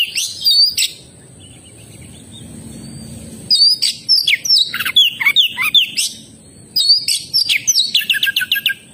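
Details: Oriental magpie-robin pouring out loud phrases of slurred whistles and rasping notes, separated by a quiet gap, ending with a fast series of repeated short chirps; a thin constant high tone runs throughout.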